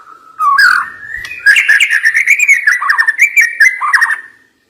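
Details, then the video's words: White-rumped shama delivering a varied song with sharp, strong notes: a loud rolling, warbled stream of whistled notes held at mid pitch, laced with fast high ticks, running almost continuously before fading out. "Ngeri Isian Murai Batu Ini Nembak Tajam"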